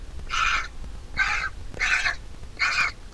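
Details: Hoarse, broad-toned begging from a large vulture nestling being fed by its mother; four scratchy calls spaced roughly every 0.7 seconds over a low steady hum.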